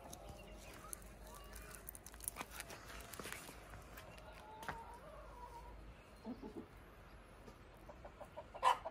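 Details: Domestic chickens on a desi hen farm give soft, scattered clucks and a few short squawks, with a louder burst near the end, amid rustling and clicking farmyard noise.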